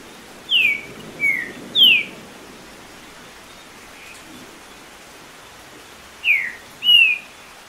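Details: Trinca-ferro or green-winged saltator stirred by background rain sounds, singing more than ten songs a minute for tournament warm-up; clear descending whistled notes in a group of three, a quiet gap, then two more, over steady hiss.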